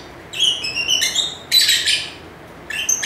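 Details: Lively lovebird chirping: a run of thin, slightly whistled high notes, then a dense, harsh, screechy burst, and a final short chirp after a pause.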